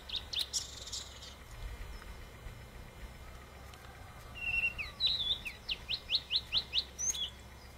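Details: Blue-and-white flycatcher male, freshly arrived in early May 1997 on the Bikin River in the Ussuri taiga, singing at dawn. A thin whistle and scattered notes lead into a fast series of about seven sharp, descending, evenly spaced notes.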